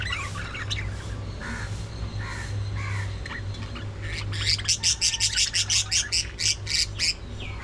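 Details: Budgerigars at early morning feeding time, giving soft short warbled notes and then a rapid series of sharp, evenly spaced chirps, about two to three per second, over a steady background hum.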